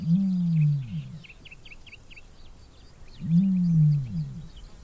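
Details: Courting male common ostrich in the Namib Desert breeding season, calling a female of his harem: two long, deep, lion-like rumbling booms about three seconds apart, each rising and falling, with quick high chirps from small birds between them.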